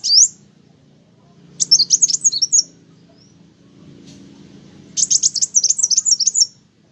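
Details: Olive-backed sunbird singing keenly: a brief very high note, then two bursts of rapid, thin, high-pitched twittering notes about a second or more long, separated by a pause, over a faint low hum.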